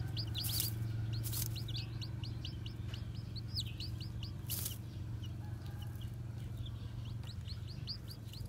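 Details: Young Japanese bantam chicks, white with black tails, freshly hatched and strolling around, give a dense stream of high piping peeps, short downward-curving notes in quick irregular succession, with a constant low droning hum underneath.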